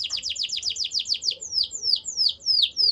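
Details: Canary singing a series of sharp, high descending whistled sweeps, fast at first and then slowing into longer, evenly spaced down-slurred notes, clear and loud.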